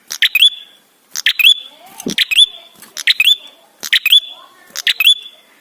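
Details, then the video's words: Ashy tailorbird song played as a lure to set other birds singing: five quick bursts of high, sharp notes, each closing in a slurred whistle, roughly once a second, with a lower swooping sound midway. "Prenjak gacor suara ampuh untuk pancingan"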